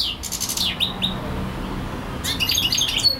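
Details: A European goldfinch singing nonstop for hours gives short high twitters and falling whistled notes, a brief lull, then another burst of bright chattering, low hum underneath.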